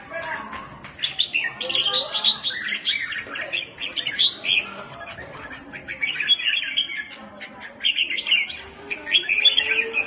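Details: Red-whiskered bulbuls in a fighting bout, loud harsh calling: dense, jumbled bursts of bright chirps and warbled notes, overlapping and nearly continuous, with short pauses between volleys.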